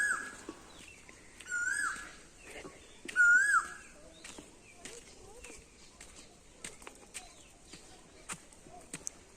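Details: An Asian koel calling in a village in Panskura, India: three clear, mellow whistled notes, each slurring up then down, about two seconds apart, with faint high twittering from other birds behind.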